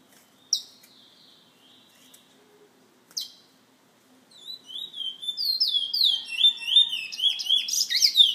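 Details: Caged bullfinch kept by a bird lovers association member in San Fernando; after two sharp isolated chips and near silence, a rapid run of high warbled, looping whistles builds and grows louder over the last four seconds.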